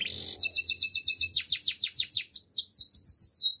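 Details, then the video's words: Practising canary delivering a brief high trill, then a rapid run of bright falling chirps, roughly five per second, sliding lower midway and rising again, clean and loud. "Canary singing practice! The best canary sounds"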